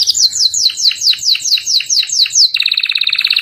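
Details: Canary song used as master audio for training captive birds: a series of descending whistled sweeps, about two per second, switching abruptly to a fast, buzzy, rattling trill for the final second.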